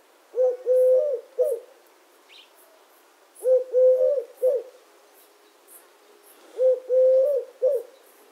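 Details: Eurasian collared dove cooing in steady three-part phrases: a brief opening note, a drawn-out middle coo and a short ending, soft and low-pitched, recurring roughly every three seconds against a quiet background.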